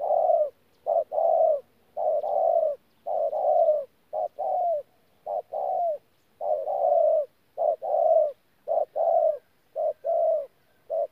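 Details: Decoy spotted dove cooing in the thổ pha gù style, January 2019: an unbroken series of soft, hollow coo notes, mostly in doubled phrases about a second apart, alternating longer and clipped notes over a silent background.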